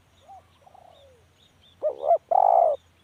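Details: Faint low hooting notes lead into a single full spotted dove phrase: a wavering two-part note, then a drawn-out mellow coo.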